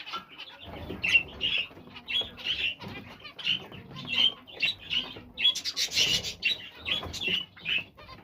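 Zebra finches give rapid, nasal, toy-trumpet-like calls in quick succession, with soft wing flutters.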